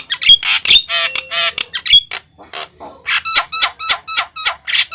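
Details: Javan myna singing energetically as a lure: dense harsh chatter with sharp whistled accents, a brief lull, then a rhythmic series of nasal, buzzy notes roughly every quarter second.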